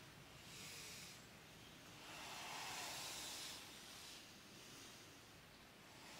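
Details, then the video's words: A mute swan at the Ribniki fishponds in the Draga valley on 10 July 2024 hisses in three long, breathy bursts, each lasting one to two seconds, with no other clear sounds. "Cygnus olor LABOD GRBEC"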